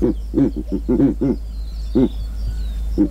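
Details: Verreaux's (Giant) eagle-owl in Kruger National Park giving low, gruff, grunting hoots in short bursts of two or three, then single notes about a second apart, with faint high bird whistles behind.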